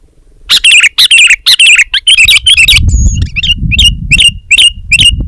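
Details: A vigorously singing sooty-headed bulbul gives quick clusters of harsh, ringing chirps, then a run of evenly spaced, clearer notes about twice a second, with low background rumble.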